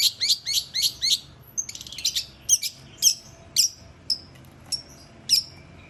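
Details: Long-tailed shrike giving a quick series of harsh, scratchy notes, then spaced single sharp whistled chirps repeated roughly every half second to second.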